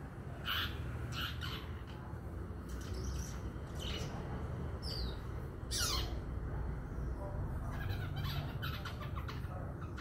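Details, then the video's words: Young male long-tailed shrike of the Madura type, practising its song: scattered chirps, short sweeping whistles and scratchy notes at irregular intervals, some rising or falling sharply, over a constant low hum. "cendet lepas trotol nyusun lagu"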